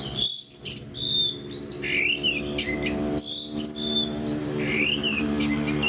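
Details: Oriental magpie-robin in energetic, fighter-style song: rapid whistled phrases, sharp rising and falling notes, and chattering bursts over a steady low droning hum.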